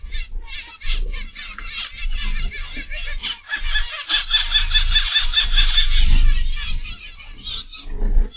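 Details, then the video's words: Zebra finches in an aviary, evening, giving dense bursts of nasal, honking chirps layered over one another, with low thumping and rustling noises underneath. "Zebra Finch Aviary Live"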